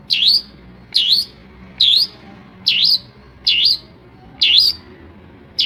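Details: Long-tailed shrike, known locally as pentet or Madura cendet, in mimicking song copying other birds; a steady series of seven loud, swooping dip-and-rise whistles roughly every 0.8 seconds, each opening with a brief high tick.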